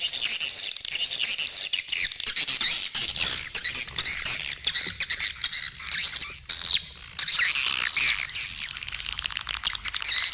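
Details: Edible-nest swiftlet calling sound used as a lure to attract swiftlets at feeding areas and flight paths, mixed in stereo with supporting calls left and right; dense, overlapping high chirps and twitters run continuously with brief gaps.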